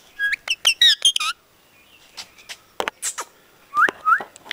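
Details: Pet parrot mimicking Punjabi sentences: bursts of harmonic, speech-like syllables with sliding whistled tones, a pause, then two rising whistles.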